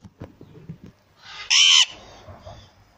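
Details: A pair of recessive pied Alexandrine parakeets: one loud, harsh, broad squawk lasting about a third of a second, rising then falling, after soft low knocking and shuffling sounds, with faint chatter afterwards.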